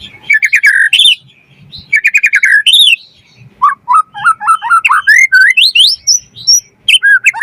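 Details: White-rumped shama in full varied song, used as a lure to start other birds singing and to tutor them: buzzy rattles and then a long run of looping whistles that climb steadily higher.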